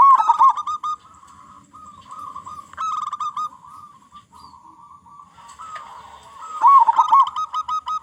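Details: Zebra dove of local Indonesian stock with a big voice, singing in full form as a lure to start other zebra doves singing; repeated rolling coo phrases with quick trilled notes, a softer stretch midway, then a loud burst near the end.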